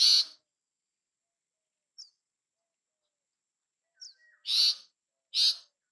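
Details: Bay-backed shrike, a South Asian resident, uttering harsh scratchy notes: one at the start, faint thin squeaks in the middle, then two loud raspy bursts close together near the end.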